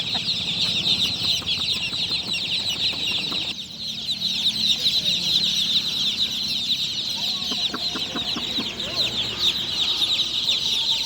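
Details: Dense, unbroken peeping of many just-born chicks at night, shrill high chirps overlapping constantly, with a man's speech faintly audible.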